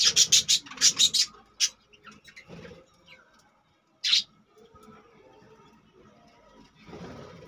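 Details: Caged budgerigars giving a fast burst of sharp, high chirps in the first second, one more loud chirp near four seconds, then only faint soft twittering in a quiet room.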